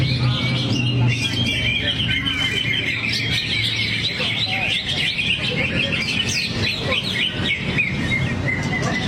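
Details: Greater green leafbird showing off varied song material while drooping its wings; busy high twittering and slurred whistles continue throughout, with low background hum and murmuring voices.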